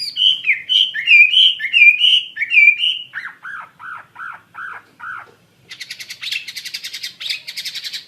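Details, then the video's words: Wambi mandarin bird (zebra finch) singing actively: quick nasal slurred notes give way to a row of lower, hoarse, evenly spaced notes, then a brief pause and a dense, high, buzzy rattling sequence. "Burung Wambi Mandarin Gacor"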